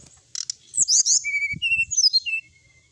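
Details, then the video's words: Sooty-headed bulbul song: bright, shrill chirps followed by clear drawn-out whistles at steady pitch, with faint low thumps in the background. "srdc gacor full isian ,masteran srdc malam hari dan terapi srdc"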